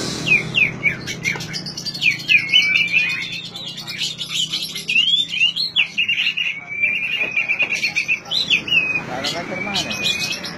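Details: Oriental magpie-robin song meant to get a silent bird singing: a rapid, varied stream of whistled and chattering phrases with rising and falling slurs, ending in a long thin whistle.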